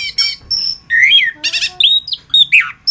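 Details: Orange-headed thrush (anis kembang) in a masteran tutor recording: a loud, varied song of harsh buzzy notes, clear whistled slides and a rapid stacked trill near the middle, broken by short pauses.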